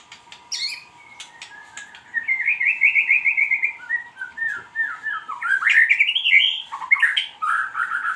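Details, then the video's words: White-rumped shama singing pancingan, a lure to set other birds singing: soft opening notes, then a long string of bright, quavering whistled phrases and sweeping slurs; a steady electrical hum runs underneath. "pancingan suara buung muray batu"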